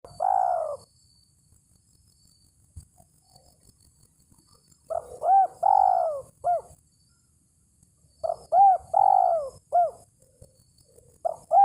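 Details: Spotted dove calling a rival, used as a lure: repeated phrases of short hooked coos around 600–900 in pitch followed by a longer descending coo, phrases separated by pauses of a few seconds, with faint low rustling beneath.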